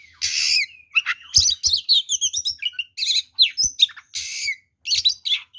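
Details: Oriental magpie-robin in fighting mode, singing a full, varied song said to provoke other magpie-robins into aggression: loud bursts of buzzy, harsh notes alternate with quick whistled slurs and chirps, separated by short pauses; faint low knocks in the background.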